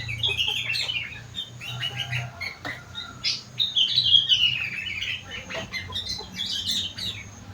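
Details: Song of a sooty-headed bulbul trained on rengganis and cucak wilis phrases. It gives varied whistled notes, then a longer descending slurred whistle near the middle, with faint low hum beneath.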